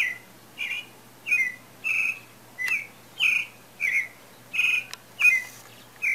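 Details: Pale-breasted thrush singing as breeding season nears, a continuous series of ten clear whistled phrases around every half second, a few dropping in pitch, with faint clicks.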